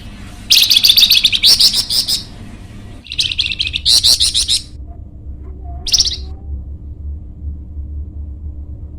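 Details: Flamboyan bird, kept as a training or luring bird, singing in loud high bursts of rapid buzzy chattering notes, three separate phrases with short pauses between, over a low steady hum.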